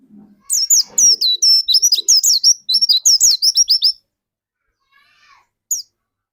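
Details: Caged dakun white-eye singing vigorously as a lure for others: a continuous four-second string of sharp, high chirps and slurred whistles, then quiet with one last short note.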